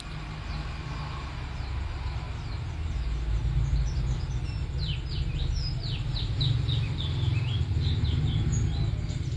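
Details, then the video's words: White-eye of the bustomi type singing energetically. Quiet at first, then a run of rapid downslurred high whistles and chips through the second half, with a heavy low hum underneath. "Burung Pleci Bustomi Gacor"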